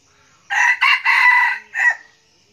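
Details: Red junglefowl decoy rooster, kept as a frequent crower, delivers a loud, clear crow: three quick harsh syllables with the third drawn out, a short pause, then a clipped final note, against near silence.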